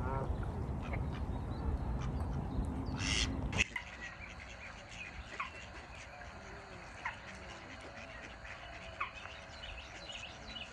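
Mallard quacks, short and nasal, sound over a heavy wind rumble that stops abruptly, followed by scattered, fainter calls from other waterbirds.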